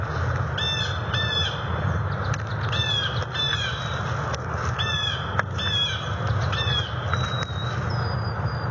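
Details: Quarrelling bald eagles on their NCTC nest in November 2020, preparing it for nesting season and arguing over branch placement. Shrill, squeaky twittering bursts repeat in short descending series against a constant low background hum.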